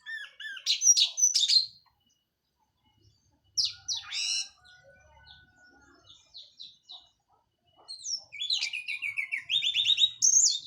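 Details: Orange-headed thrush of local Cililin stock, just finished moulting, singing an open 'plong' song with 'teler' style: bursts of varied high whistles and trills, a pause near three seconds, then a long rising, tumbling phrase of sweet notes.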